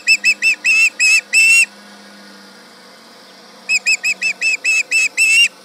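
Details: Osprey at the Charlo nest in Montana, late morning of 31 July 2019, yelling at a tractor nearby: two bursts of loud, shrill, whistled yelps, each series of about seven notes rising in intensity, separated by a quiet pause.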